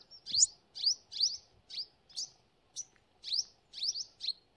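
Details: Rapid high chips from a sunbird in forest, each a quick upward flick, delivered roughly twice per second in an uneven run.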